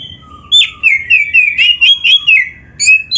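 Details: Kacer, the oriental magpie-robin, singing energetically with dense 'isian' phrasing: a quick chain of sweet slurred whistles after a soft opening note, then a brief gap and two rising high notes.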